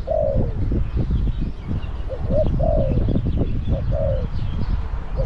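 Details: Caged spotted dove used as a decoy to lure wild doves, cooing in soft low hollow phrases, several short coos spaced about a second apart, over constant loud low rumbling and wind-like noise.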